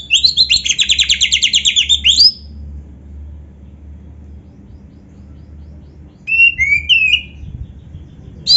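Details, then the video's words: Oriental magpie-robin singing with canary phrases: two seconds of rapid buzzy trilling, a long quiet stretch, then a few short whistled slurs and a final sharp note. "suara Kacer gacor isian komplit | Masteran Kacer ISIAN Burung Kenari"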